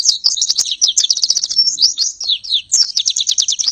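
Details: Rapid-fire Oriental white-eye (pleci) song used as training material for other birds: a dense, unbroken stream of high, quick chirps and twitters tumbling on without pause.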